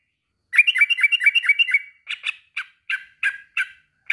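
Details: Male sooty-headed bulbul calling a rival, opening with a rapid bubbling rattle of bright notes, then slower separate chattering notes about every third of a second.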